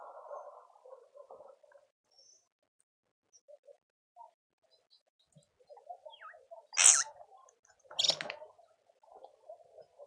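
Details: Speckled mousebirds (Colius striatus) at a suburban garden feeder in Pretoria, South Africa, give two sharp, high, harsh notes about a second apart, after soft low twittering and rustling.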